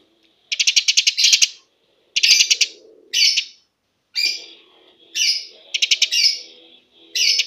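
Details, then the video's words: Eurasian tree sparrow in lively, rapid song, used to lure and tutor home songbirds; loud stuttering runs of shrill chirps alternate with single harsher notes, nearly continuous, with a soft low murmur beneath. "Burung gereja gacor speed rapat"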